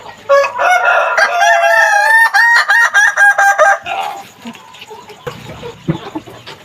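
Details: Kukuak Balenggek rooster of the Minangkabau breed practising its crow while learning. It gives a sustained crow of nearly four seconds with stepped, stuttering syllables that shift in pitch, then softer clucks and background noise.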